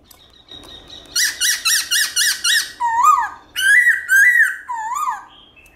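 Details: Forest-style morning song of a black-throated laughingthrush: a faint thin tone, then six quick identical bright notes in a row, followed by longer swooping whistles that rise and fall.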